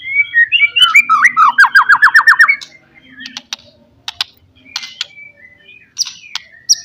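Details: White-rumped shama 'pastol' lure song to provoke a rival: a fast rattling series of about ten sharp downslurred notes, then a few scattered clicks and thin high notes.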